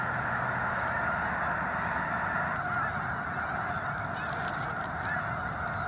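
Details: Snow geese by the thousands on a Missouri wildlife refuge, unbothered by a controlled burn on a clear day; a constant, rough chorus of honks blending into one roar, with a faint low hum underneath.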